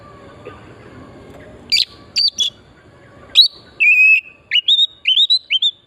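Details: Oriental magpie-robin song used as a lure to trigger singing: a few sharp chips after a quiet start, then a clear rising whistle and repeated upslurred whistled phrases.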